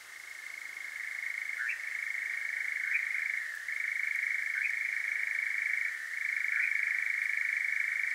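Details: European nightjar (Caprimulgus europaeus) churring after dark in Devon, UK, Zoom H5 with parabolic dish: a relentless rapid reeling trill with small pitch shifts and brief breaks about every two seconds.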